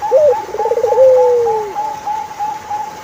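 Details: A single turtle dove phrase with a short note, a beaded trill and a long, slowly falling coo, set against a constant higher whistled tone that continues after the coo.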